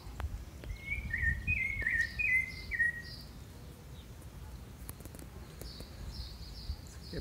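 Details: Rufous-bellied thrush, a neighbour's bird, singing at night: a short run of clear whistled notes, some slightly falling, in the first few seconds, then only faint high chirps over steady background noise.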